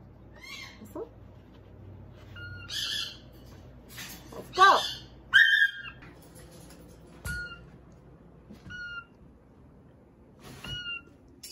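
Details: Caged pet macaws, just after dinner, react to their owner wearing a Darth Vader mask with harsh, raspy squawks in short bursts and a few clear whistled notes, while a woman talks excitedly over them.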